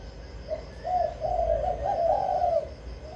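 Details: Spotted dove kept as a caged decoy in Vĩnh Long, Vietnam, to draw in wild doves: one soft opening coo, then a long run of mellow, rolling crooning notes that swell and fade.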